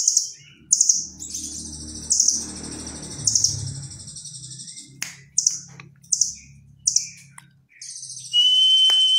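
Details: Velvet-fronted nuthatch in full song, its fill-in said to resemble the cililin: loud, rich chirping bursts repeated roughly every second, with quieter low rumbling between and a long steady whistle near the end.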